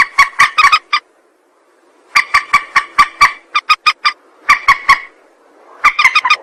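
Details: Rail lure call: bursts of loud, rapid, grating notes in clusters, separated by a one-second silence and shorter gaps, some notes stretched into a short buzzy tail.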